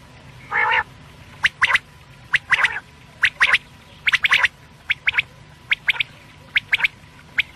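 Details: Quail, locally batair, opening with one buzzy harmonic note, then a string of sharp triple-note whistled phrases repeated about once a second.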